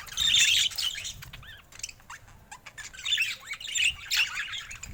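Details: Colorful budgerigars with rare mutations, including babies: a loud scratchy chatter opens, followed by softer curling whistled chirps, then renewed bursts of busy warbling.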